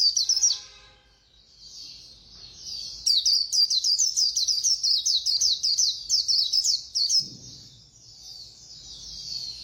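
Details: White-eye in fast khuyên líu song: high chirps that open the phrase, a soft thin warble, then a brisk run of evenly spaced, sharp twittering notes fading into quieter warbling.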